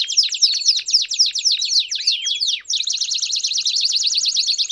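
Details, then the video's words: Campainha song with chirps from a canary, used to train young canaries: quick sweeping slurred notes give way abruptly to a fast, even, ringing trill. "Canto Campainha Com Piados Top Para Treinar o Canto de Canarios Filhotes!!!"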